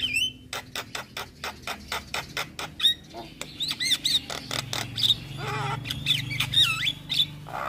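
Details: Javan myna in full, energetic song used as a training recording for songbirds, packed with varied phrases: rapid harsh clicks and rasping bursts, then bright whistled notes and twisting slurred whistles, over a steady low hum.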